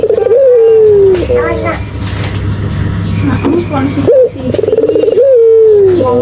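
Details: A vigorous Barbary dove call for training and luring birds: a falling coo opens, a stretch of softer murmuring sounds follows, then a sharp rise, a throbbing roll and a long descending coo over a low hum.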